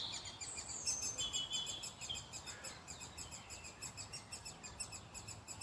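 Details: Hidden in a nest hole in an old ash tree, great spotted woodpecker chicks beg to be fed by their parents, whose nearness changes the sound. High, harmonic chitters repeat about three times a second, with a brief whistled note from another bird early on.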